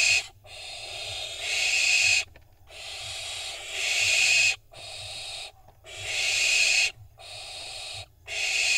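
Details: Several barn owl fledglings in Israel, recorded 25 June 2021, jostling for position ahead of a prey delivery; drawn-out hoarse hissing shrieks about a second long, repeated with brief pauses between.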